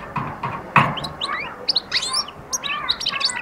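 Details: European goldfinch at the start of singing and attack: a dense run of liquid, twittering chirps and short rising slurs, preceded by a few dull knocks.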